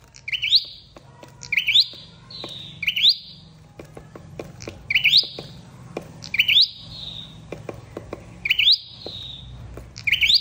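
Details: High flowerpecker calls played as a trapping lure: paired rising chirps with falling whistled tails, repeated through the recording. Scattered sharp clicks and a low hum run beneath them.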